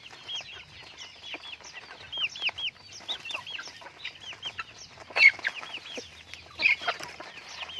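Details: Pet chickens utter runs of clear, high, arched peeps, several in quick series from many birds together, with two brief louder rustling bursts toward the end.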